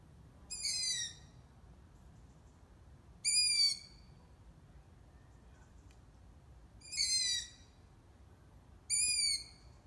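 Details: A young, just-fledged long-eared owl from a brood in Ermelo, Netherlands, gives four high, drawn-out squeaks, each falling slightly like a creaky gate, spaced irregularly a few seconds apart over a faint background hush.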